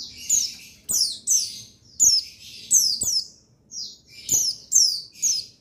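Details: Male white-eye of the buxtoni type giving a lively run of high, thin, down-sweeping chirps grouped in short bursts, nearly continuous over several seconds, with a few faint low ticks.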